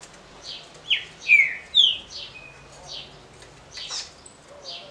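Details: Green-winged saltator singing the short smooth Paraná song style, meant for competition circles: three loud, clear whistled notes that slide downward, given in quick succession, with softer high chipping from other birds behind.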